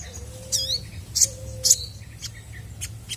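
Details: Two low, flat, hollow whistles from a chestnut-backed scimitar babbler in full song, meant to draw replies from other birds; shrill chirps and rising sweeps from other birds are mixed in, with a steady low hum.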